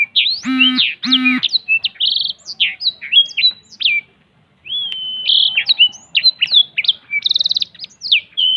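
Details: A black-throated canary sings energetically while spreading its wings, giving a fast, varied run of high whistles, trills and sharp chips with a brief pause midway; a buzzy harsh note opens the phrase.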